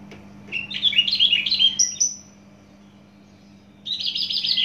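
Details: Javan bush lark from Java sings a busy, fast stream of chirps and slurred notes rising to a long high whistle, then after a short silence launches a dense shrill trill.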